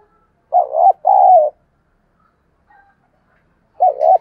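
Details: Decoy spotted dove calling and cooing at dawn, used to train pet doves to call back: two mellow, wavering low coos in quick succession, a pause, then a third matching coo; otherwise quiet.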